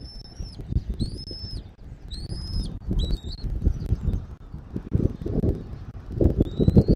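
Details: Bald eagle at the nest in Southwest Florida, 13 January 2024 at 14:17, on a nest camera: thin, high whistled notes that rise then drop, repeated about five times over loud low wind rumble and knocking.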